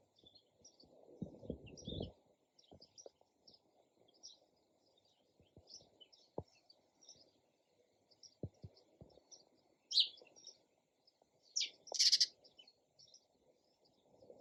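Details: Sparrow chirps sounding on and off over a low background hum, mostly soft quick notes, with louder chattering bursts near the end and scattered rustles and knocks.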